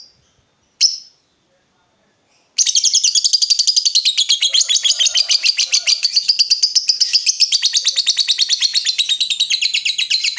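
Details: Lovebird in 'gacor' form, a lure so any lovebird replies with 'ngekek'. One sharp chirp, a short pause, then an unbroken, very fast, buzzy high chattering trill lasting about eight seconds.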